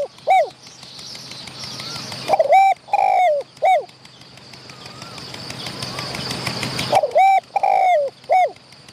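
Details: Wild spotted dove calling back at a caged decoy while chasing another wild bird nearby. Loud mellow coos come in bursts of three, separated by quiet gaps with a constant high insect-like hiss.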